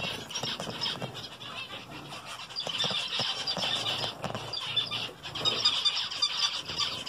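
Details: Zebra finches eating vegetables give a steady stream of short, nasal, high-pitched beeps and squeaks.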